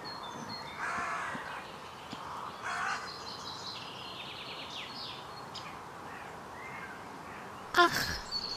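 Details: Carrion crow in the Vossmoor on a windy, cold May day, 2020, calling repeatedly while an answering crow can be heard; harsh broadband caws around one and three seconds, small birds chirping in the background, a loud knock near the end.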